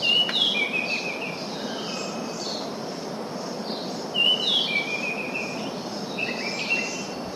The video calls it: Orange-sided thrush